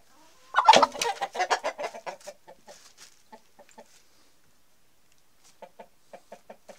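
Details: Chickens of the Denizli breed, a rooster with a hen while mating: a sudden loud squawk breaks into a fast burst of harsh cackles that slow and fade, with a quieter series of clucks resuming near the end.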